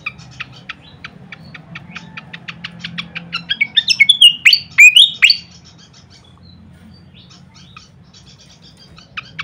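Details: Malaysian pied fantail (Rhipidura javanica) song used as a training recording for cage birds: a run of dry, rapid ticking notes, then a burst of loud, squeaky whistled phrases, fading back to sparse high chips.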